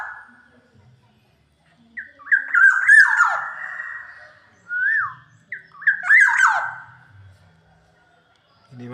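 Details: Black-naped oriole repeating phrases of mellow, flute-like slurred whistles with harsher overtones. Two long phrases are separated by a brief single whistle.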